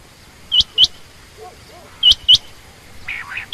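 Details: Two pairs of loud, high, hooked chirps from a female quail, with faint lower murmuring between them and a rough lower burst before a final chirp.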